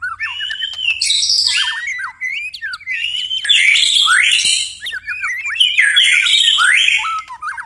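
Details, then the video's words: White-rumped shama singing at night in repeated phrases roughly every two to three seconds: clear whistled openings followed by dense, buzzy, tumbling warbles, with a low hum faintly present. "murai batu tetap gacor di malam hari"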